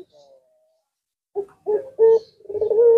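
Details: Puter pelung collared dove, said to make other birds answer. After a quiet start, a few short coos build toward a steadier sustained coo at the end.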